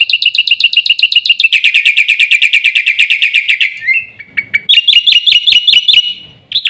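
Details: Black-winged myna pouring out a long, fast run of sharp, ringing chirps at steady pitch. A brief pause with a sliding note follows, then another burst of higher, more emphatic repeated notes.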